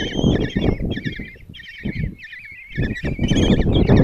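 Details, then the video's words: Common kestrel young begging at a nest box in Tiszalök, Hungary, on June 26 while the mother feeds five chicks breakfast; bursts of tremulous wavering squeals with short gaps, over intermittent low knocking and rustling. "Common Kestrels | Mom bring breakfast and start feeding five chicks"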